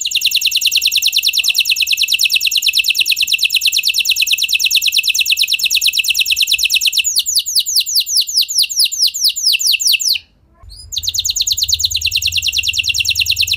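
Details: F1 canary song used to get other canaries singing: a long, very fast buzzy rolling trill, then slower sweeping downward notes, a sudden brief break, and the trill starting again.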